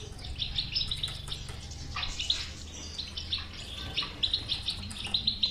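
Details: Goldfinch bitbita for waking the song of a silent goldfinch: scattered twitters, then a rhythmic series of bright, tinkling notes repeated about four times a second toward the close, over low hum.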